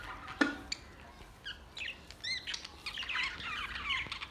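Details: Budgies at play, recorded June 14, 2023, giving a chattering warble. Quick rising and falling squeaks and whistled twitters build into a dense run of overlapping notes in the final second and a half.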